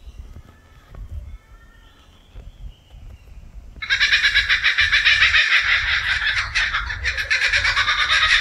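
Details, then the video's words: Kookaburra bursting into its loud, distinctive laughing call midway after a few seconds of quiet background with faint birds; the rapid, harsh cackle then continues strongly to the end. "The Kookaburra"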